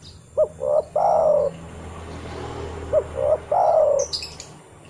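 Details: Lure recording of a spotted dove, a call that summons other doves in the wild. Two soft three-part coo phrases about two and a half seconds apart, each a brief note, a medium coo and a long falling coo, over faint background hiss.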